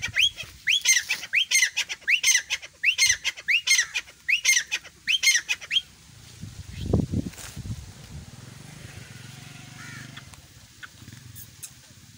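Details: Calling grey francolin (teetar) gives a rapid series of sharp rising notes for about six seconds, then falls quiet, leaving a low rumble, a brief thud and soft background hiss.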